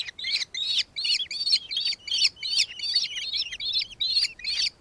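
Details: Loud, close nankeen kestrel chattering in Victoria, Australia, 4 December 2024: about a dozen harsh, shrill, trilled notes delivered in quick succession, roughly two and a half per second, over a quiet background.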